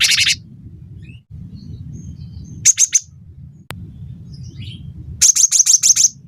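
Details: Cinereous tit, recorded to teach songbirds and prompt singing. It opens with a loud buzzy rasp, then three sharp high notes, and later a fast run of six piercing whistles, over continuous low hum.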